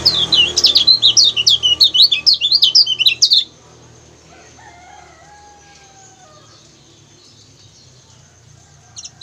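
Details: Lemon-bellied white-eye in a recording meant for training other songbirds, giving a fast run of shrill, high twittering chirps for about three seconds, followed by near silence with faint low background hum and one short chirp at the close.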